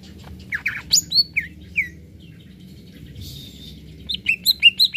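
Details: Greater green leafbird singing actively, a recording meant to stir up other birds: scattered bright, high chirps and slurred notes, then a quick closing run of rising whistled notes, with a low hum beneath.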